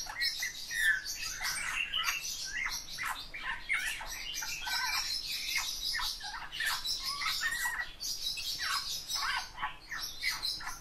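A Eurasian bullfinch sings a quiet, creaky warble of squeaky twitters and soft piping notes.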